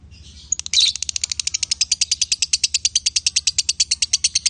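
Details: Lovebirds, male and female, opening with a brief harsh call, then rattling off a long rapid series of high scratchy chips, roughly three each second, over low background hum.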